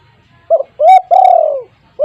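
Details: Spotted dove, locally tekukur, with a loud voice used as a lure for other doves: a short low coo, then a longer rising-falling coo and a drawn-out mellow note that slowly fades, with another brief coo starting at the end.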